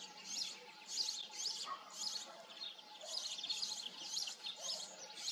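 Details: Goldfinch song of rapid, high, jingling twitters grouped into short bursts nearly twice a second, lively and slightly irregular, with a soft steady hum in the background.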